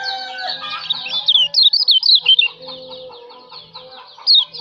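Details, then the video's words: Kecial lombok, a white-eye, singing for a songbird training recording: a short flurry of loud, high, zigzag notes amid quieter chattering and lower tones, with one more brief high phrase near the end. "masteran kicau burung kecial lombok"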